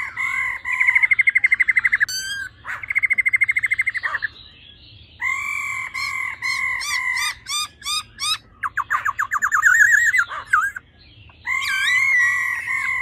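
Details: Female laughingthrush in full song: long, steady whistled notes alternating with fast buzzy rattling bursts and rapid trills, loud and clear against a quiet background.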